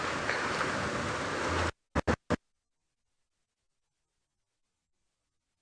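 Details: Broadband rushing noise stops abruptly, followed by three sharp clicks and then silence.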